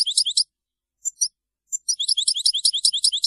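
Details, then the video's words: Maliki-style European goldfinch song, said to be free of mistakes: high, rapid twittering of short bright notes in two bursts separated by a brief pause with a few isolated chirps. "تغريد الحسون المالكي خالي من أخطاء"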